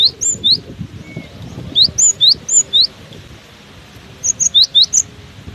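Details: In strong wind, a cinereous tit sings steadily. Quick high whistled notes come in paired, swooping phrases of four to five, with short gaps between, over a low continuous rush of wind.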